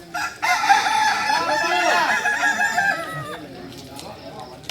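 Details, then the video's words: Kukuak Balenggek chickens from Solok, a singing breed, during crowing performance training. A strong crow of chained, wavering syllables lasts nearly three seconds, then fades into quieter clucks. "Latihan prestasi Ayam kukuak balenggek ayam penyanyi asli Solok"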